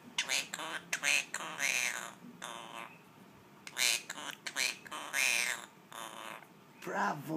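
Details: Female monk parakeet (Quaker parrot) mimicking human speech, including 'Daddy', in short, raspy, burst-like phrases while her owner praises and coaxes her.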